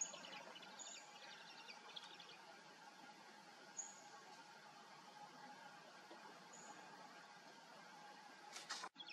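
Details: Churbling eaglet addressing a parent, July 19, 2018, 19:18: faint, fast chittering notes in scattered bursts, occasional high thin whistles, steady background hiss, and a loud broadband rustle or knock near the end.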